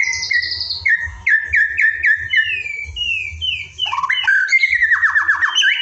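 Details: Evening training song of a white-rumped shama: clear whistled notes sliding downward, repeated in quick series, then a burst of fast descending trills and sharp high notes, with a faint low hum beneath.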